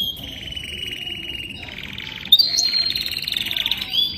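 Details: Young canary in song: a long buzzy trill held at mid-high pitch, dropping to a lower rolling phrase, then louder higher trills with a sharp whistled accent.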